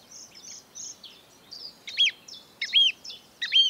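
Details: Marsh warbler in the breeding season, famed for copying European and African birds: soft high whistles, then louder sharp paired notes repeated about every 0.7 seconds.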